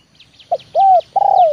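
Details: Trained spotted dove, 'leopard' style, calling to lure wild doves down. Heard here are a short note, an arched coo and a long purring coo gliding downward. Thin high chirps from another bird sound above it.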